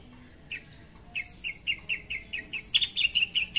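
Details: Long-tailed shrike calling to provoke a rival: after a pause, loud clipped notes repeat ever faster, building into a rapid chattering series near the end.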